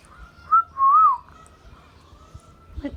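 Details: Indian ringneck parrot at home producing a brief whistled note and a longer wavering whistle, followed by near silence and a soft low knock.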